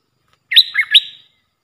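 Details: Puff-throated bulbul decoy sound for teaching young birds: a brief three-note whistled phrase, a sharp upslur, a lower dip, then another upslur trailing off, against silence.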